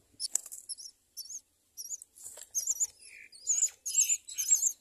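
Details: Myna birds raising four chicks in a nest: a run of shrill, wavering chirps in rapid bursts, growing louder and denser, with one brief lower buzzy note in the middle.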